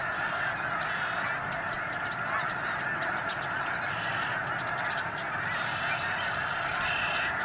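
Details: Snow geese migrating through the Sacramento Valley, a massed chorus of constant honking from many birds, with frequent higher, clipped barks and yelps rising out of the dense background din.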